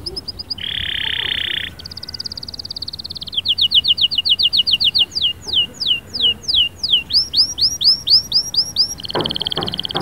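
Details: Energetic canary song used to get a quiet canary singing: a short high trill, a harsh buzzy rattle, then rolling trills and rapid repeated sweeping whistles, ending in a fast high trill over a constant background hum.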